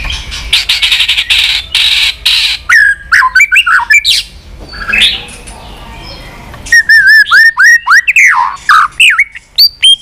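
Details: White-rumped shama, continuous chattering song for stimulating a bird to sing and flick its tail: a burst of rapid harsh clicks, then loud ringing whistles and sharp downslurred notes in quick succession, with clean silence between.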